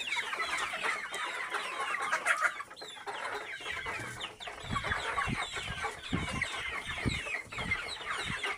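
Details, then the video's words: Local chickens kept free-range, a busy flock producing continuous overlapping high chirps and clucks, with a run of low knocking thuds in the second half of the recording. "Enkoko Enganda Local chicken"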